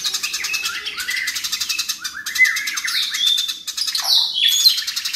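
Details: Eurasian tree sparrow in a fast, dense, loud run of high chirps and buzzy chatters, with brief whistled slurs threaded through; described as a fighting sparrow.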